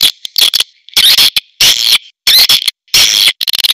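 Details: Swiftlets twitter in harsh, buzzy bursts of squeaky chirps separated by brief silences, ending in a quick run of short clicks.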